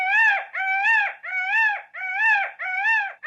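A peacock gives five loud, nasal, wailing calls in quick succession, each about half a second long and repeated roughly every two-thirds of a second.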